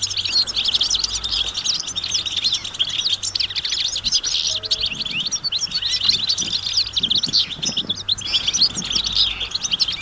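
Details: Many European goldfinches calling together outdoors in nature, mating and readiness calls that prompt silent males to sing; busy overlapping high-pitched twitters and trills run without pause, several birds at once, over a soft steady low hum.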